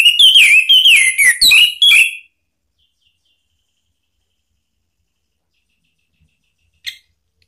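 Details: Orange-headed thrush song played as a provoking lure for other birds: about two seconds of rapid, sharp whistled notes that rise and fall in quick succession, then silence with one short faint note later.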